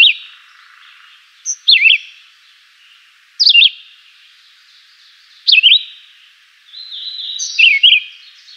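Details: Simple melodious song of a Chivi vireo, brief warbled phrases of falling then rising slurred whistles given every two seconds or so, with a faint buzzy trill in the background.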